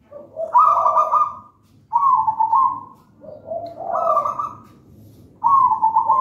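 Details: Zebra dove of local wild stock, bred from a gedang rojo (raja banana) nest, in lively song. Phrases alternate a lower cooing note with higher rolling, pulsing trills, four bursts in quick succession over a faint low background hum.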